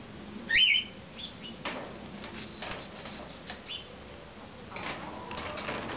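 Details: Cockatiels, including a half-sider bird, recorded 6 March 2012: one loud, wavering whistled call rises and dips early on, followed by fainter short calls and soft clicking over a low background hum.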